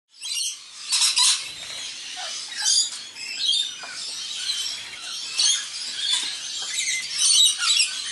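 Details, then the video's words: Wild rainbow lorikeets feeding together at a dinner party, an immature bird joining them; shrill, harsh screeching calls overlap in bursts, rising and falling in loudness throughout. "Rainbow lorikeets dinner party"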